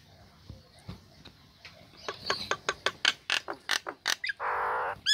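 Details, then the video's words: Female Nias hill myna, caged, singing right after its cage cover is removed, used as a lure to get lazy birds singing: faint clicks give way to a fast series of loud sharp notes, then a harsh buzzy burst and a whistle. "Jalak Nias Betina Buka Krodong Langsung Gacor"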